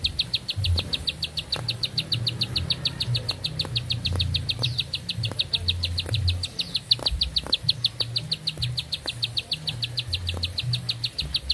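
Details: Bar-winged prinia in a long-breathed, nonstop song: a rapid string of short, sharp high notes, about three per second, held steady for the whole stretch over a low rumbling background hum.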